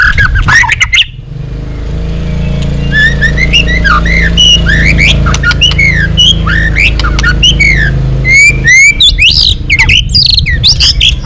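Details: White-rumped shama, long song for training and provoking other shamas: a brief burst of sharp notes, then fluent whistled phrases of rising and falling slurs over a steady low hum.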